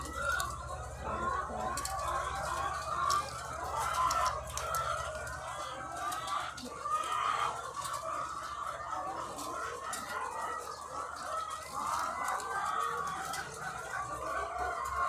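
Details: A farm flock of thousands of laying hens keeps up an unbroken wall of murmuring clucks, with occasional louder squawks and sharp clicks. A deep constant hum runs underneath.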